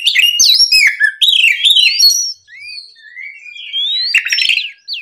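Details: Oriental magpie-robin song in the morning, used to provoke a rival: dense twittering and warbled whistles at first, then slower long gliding whistles that rise and fall, ending in a scratchy flourish.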